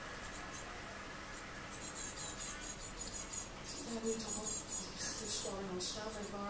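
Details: Young great tits, repeatedly coming to beg for food, 8 June 2018: thin, high chirps in quick irregular bursts, densest in the second half, over Dutch tennis commentary and low voices in the background.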